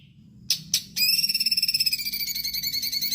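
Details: Stripe-throated bulbul (cucak cungkok) in full gacor song for a training master: two abrupt clicks, then a fast buzzy trill of rapidly repeated notes that slowly loosens and drops slightly in pitch.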